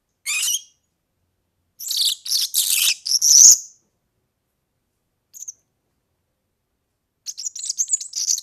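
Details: High, harsh chirps and buzzy jingling notes from a European serin, given in separate bursts with gaps, ending in a thin tinkling trill; recorded for tutoring young birds.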